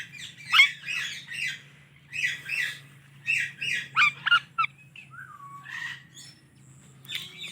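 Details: Indian ringneck parrot chattering in quick raspy chirp clusters, with a few sharp squeaks and a short descending whistle, over a low background hum.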